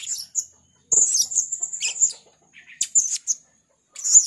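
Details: Blue-crowned hanging parrot giving thin, very high, shrill squeaks in short bursts, with one sustained trilling run and brief pauses between; described as a female, used as a lure call.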